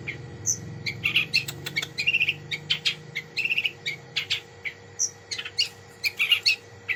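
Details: Long-tailed shrike singing a jumble of short harsh notes, rapid chatters and occasional thin high whistles in uneven bursts, over a faint constant hum.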